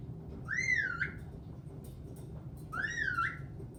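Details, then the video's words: Pet caique parrot, known for singing, laughing, swearing and dancing, whistles the same rising-then-dipping phrase twice, each about three-quarters of a second long, with faint clicks between, in a small indoor room. "Caique Parrot sings, laughs, swears, dances"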